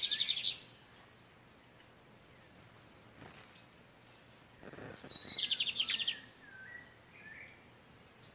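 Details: Wild lined seedeaters, males of the torniado song style exchanging song near an incubating female; two bursts of rapid, high, buzzy rattling trills about five seconds apart, with a faint steady high hiss behind.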